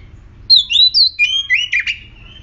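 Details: Oriental magpie-robin (murai kampung), an aggressive bird used as a lure, giving one rich phrase of loud whistles that glide up and down, then a rough, buzzy finish.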